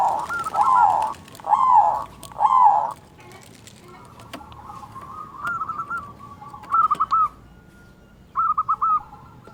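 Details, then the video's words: A local zebra dove with a large 'kung' voice, used as a lure to make other birds sing. Three loud, harsh coo bursts open, then softer stuttering cooing phrases follow over faint background noise. "Perkutut Lokal Gacor Suara Kung Besar Pancingan Burung Perkutut Agar Bunyi"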